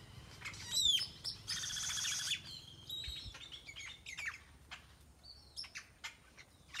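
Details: Birds in a tropical tree in Nayarit, Mexico, a mix of sharp chirps, a loud whistled downslur and a buzzy rasping burst, followed by scattered high calls.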